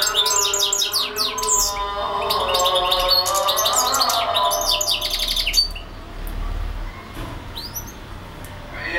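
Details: European goldfinch in non-stop song, a rapid tumbling string of bright, high twittered notes and quick trills for about five seconds, then fading to scattered soft chirps over a low hum and lower tonal sounds.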